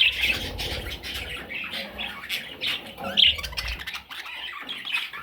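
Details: Parrot chicks calling with harsh, hoarse squawks in short overlapping bursts, rough and broadband, with a steady murmur of low background noise.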